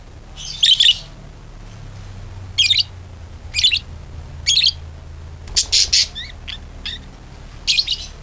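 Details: Budgerigar calling to coax other budgerigars into song: scattered squeaky chirps and brief warbled bursts every second or so, some harsher, over a low steady background hum.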